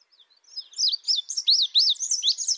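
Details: Indigo bunting phrase that starts softly and swells into loud, high down-slurred chirps repeated several times in quick succession.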